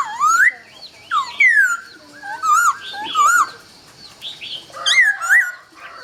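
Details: Laughingthrush greeting the dawn in Vietnam, singing loud rich whistled phrases: rising and falling slurred notes, some wavering, delivered in bursts about every second with short pauses between.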